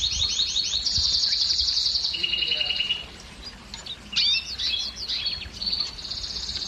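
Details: Canary singing a song aimed at prompting females to breed: rapid high trills and a lower rattling phrase, then a quieter section of scattered sharp chirps and short trills.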